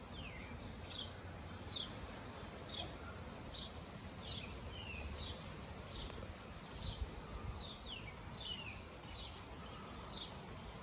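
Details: Flock of wild cedar waxwings chirping and whistling: many thin, high, sliding notes, mostly falling, tumbling over one another several times a second against constant low rumble and hiss.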